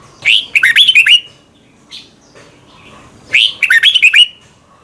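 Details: Thai Red-whiskered bulbul song meant for young birds to copy: two brisk phrases of bright, slurred, bubbling notes, with a single faint chirp in the gap between them.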